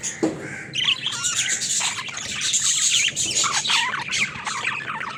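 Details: Pet budgerigars playing in their cage, a lively mix of sharp chirps, rising and falling whistled notes and grating squawks, many birds calling at once in steady chatter.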